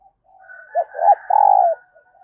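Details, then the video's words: Spotted dove used as a decoy, cooing early in the morning to call in wild doves: a soft low hoot, then two short throaty notes and a longer, louder drawn-out coo, in quiet surroundings. "Chim Cu Mồi Gáy Gọi Bổi Sáng Sớm"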